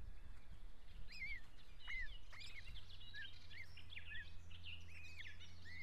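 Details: Week-old osprey chicks fighting for dominance at a nest in Estonia, June 2017, giving short downslurred high peeps and chirps, scattered and overlapping, above constant low humming noise.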